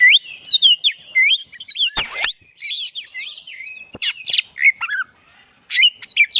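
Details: Black-breasted Oriental magpie-robin in lively song in the forest, used to stimulate a caged bird that has gone quiet; varied whistles and chirps broken by sharp clicks and a loud rasping burst, with short pauses.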